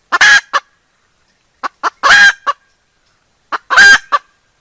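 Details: Cackling decoy hen used for luring, recorded 2021: three phrases of one or two soft clucks, a loud harsh squawk and a trailing cluck, spaced about two seconds apart.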